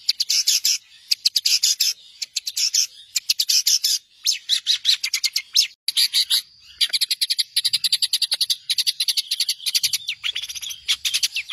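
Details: Long-tailed shrike master song for training songbirds: dense rapid chattering bursts of high, scratchy notes repeated in quick volleys with brief pauses, near-continuous throughout.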